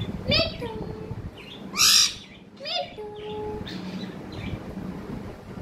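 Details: A talking parrot gives short voice-like notes, a loud harsh screech, and a long flat whistled tone, with gaps between them and a low hum in the room.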